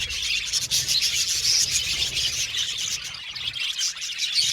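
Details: Budgerigars in an aviary colony, a dense chorus of high, rapid chirps and twitters overlapping continuously, with scattered thin whistled notes rising above the steady chatter.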